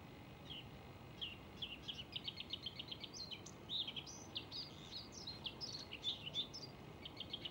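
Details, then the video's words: Male Bluethroat in full song, repeating rapid clicking notes in quick series, then mixing whistles, buzzy phrases and metallic twitters in a continuous, varied outpouring lasting several seconds. "ВАРАКУШКА( Luscinia svecica - шведский соловей) НА ВОКАЛЬНОЙ ПРОБЕ"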